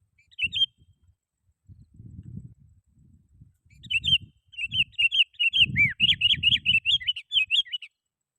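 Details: Sooty-headed bulbul singing loudly to call rivals, a recording used to lure wild bulbuls: bursts of bright, chirpy whistled notes that speed into a rapid run of repeated phrases, with low rumbling noise underneath.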